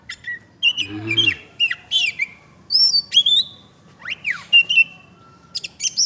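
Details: Oriental magpie-robin (kacer) in lively song: quick varied whistles, upslurred chirps and buzzy notes in short bursts, with a steep down-and-up swoop near the end and a brief human voice early on.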